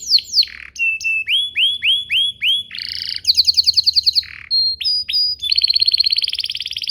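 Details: Singing canary used as a lure for other canaries to answer: varied phrases of downslurred whistles, a row of rising swoops, a pulsed high trill and a closing buzzy sustained roll.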